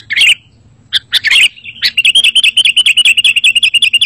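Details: A sooty-headed bulbul gives a few scattered sharp chirps, then a rapid, steady run of short bubbly notes repeated several times a second. The recording is meant to draw other bulbuls into replying.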